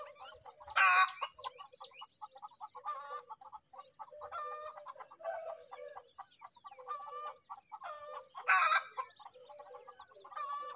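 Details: Feeding-time begging from myna chicks: steady chattering of short rasping notes, interrupted twice by loud harsh screeching bursts at the start and near the end, over a constant faint high-pitched hum.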